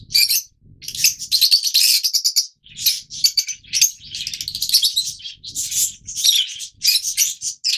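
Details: Nearly continuous loud, harsh squawking and chirping from a group of yellow Fischer's lovebirds, broken only by brief pauses.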